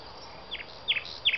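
Nightingale song: three clear, quick downslurred whistles, evenly spaced about every third of a second, over a faint background hiss.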